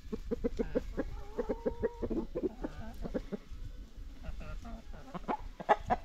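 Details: Chickens ranging freely on a farm give rapid staccato clucks in quick series, broken by one drawn-out, steady higher note that is held for about half a second before the clucking resumes, with faint murmuring voices behind.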